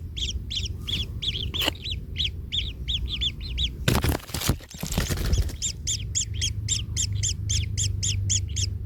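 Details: Kingfisher chick in a nest, in pain after its parent stepped on it, giving fast repeated scratchy squeaks, interrupted for about a second and a half by loud rustling and knocking noise before resuming.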